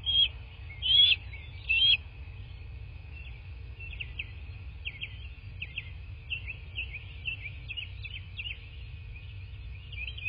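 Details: Bald eagle at a nest in southwest Florida on a nest camera, 15 March 2024 at 09:47; two loud high whistled notes open, followed by a long run of faint, rapid high chips over constant low background hum.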